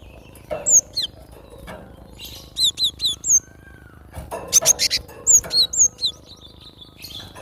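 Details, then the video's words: Free-living cinereous tit singing energetically, quick series of piercing descending whistles, paired high and lower notes, in phrases of four to six, with a soft rising tone and light background hiss. "Glatik batu gacor suara asli alam liar"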